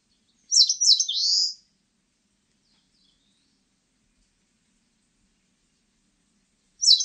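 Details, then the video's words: Eastern crowned warbler, 2020: one shrill song phrase of stuttered, jerky high notes trailing into a buzzy rising tail. A long quiet gap follows, then the start of the next phrase. "산솔새, 여러번 듣기, 곤충소리, 새소리"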